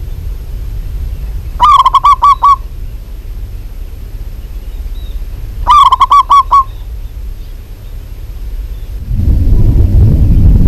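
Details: A local zebra dove gives two bursts of about six rapid, mellow cooing notes, spaced a few seconds apart. The clip ends with a loud low rumbling noise.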